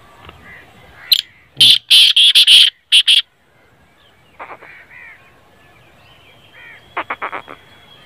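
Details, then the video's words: Black francolin (kala teetar), a call played to make a silent francolin start calling: loud harsh grating bursts in a quick burst of notes, followed by quieter scratchy notes and a thin whistle. "kale teetarr ki Awaz|black francolin"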